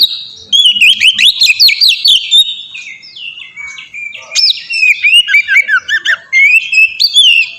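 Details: Oriental magpie-robin, known as kacer, singing ngeplong song used to stir young kacer into song: fluid whistled phrases with looping slurs, a quieter stretch, then fast, repeated bright notes.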